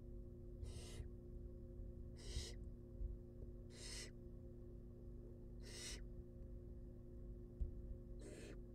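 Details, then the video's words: Five drawn-out rasping snores from wild barn owl young being fed in their nest box, arriving roughly every one and a half seconds, with a steady hum beneath. "Baby Barn Owls Get Fed"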